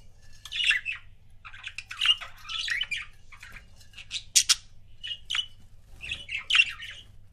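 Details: Paired pet budgies give a busy run of squeaky chirps and short rasping notes, rising and falling in pitch with brief gaps between clusters.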